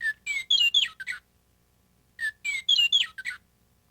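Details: A western meadowlark, the state bird and one that can be heard in the Flint Hills, sings twice: each phrase opens with clear, flute-like whistles and tumbles into a bubbly, gurgling warble about a second long.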